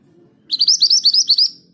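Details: Scarlet minivet in 'ngerol' rolling song at well-judged speed: around nine loud, crisp rising whistles in one rapid burst, over a faint low murmur.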